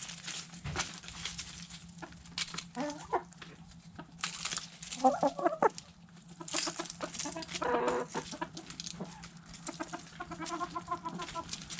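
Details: Hens and roosters in a backyard eating food scraps: loud clattering pecks and scratching, with intermittent clucks, a drawn-out churring phrase mid-way and a run of rapid clucks toward the end.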